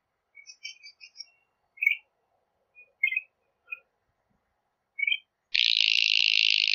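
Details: Northern shrike singing: scattered short chirps and whistled notes, some doubled, spaced irregularly over five seconds, then a sustained harsh, grating rasp that runs to the end.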